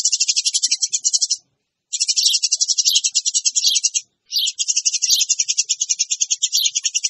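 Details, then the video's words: Eurasian tree sparrows chattering noisily as a lure: near-continuous, fast, scratchy high chirping, broken only by two short gaps. "SUARA PANCINGAN BURUNG GEREJA RIBUT"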